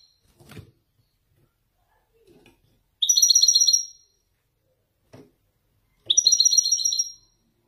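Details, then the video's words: Moroccan Widani goldfinch, caged male, delivering Marrakech-style descents: two bright, rapid twittering phrases about three seconds apart. Soft knocks and clicks sound in the cage between phrases. "حسون ويداني يتفنن بالنزولات المراكشية الأصيلة"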